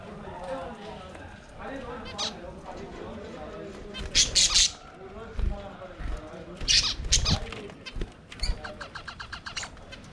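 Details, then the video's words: Budgerigars singing and playing together in their aviary, giving loud scratchy squawk bursts, then a run of rapid clicking chirps over a low, steady warbling murmur. "Budgies singing and playing in their Aviary"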